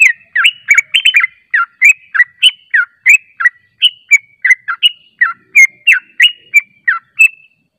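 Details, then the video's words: Yellow-vented bulbul lure chatter used to provoke replies: a dense, fast series of sweet slurred chirps, some paired closely, running continuously at about three notes per second before stopping. "PANCINGAN TRUCUK JANGAN Di Ragukan Langsung Nyaut"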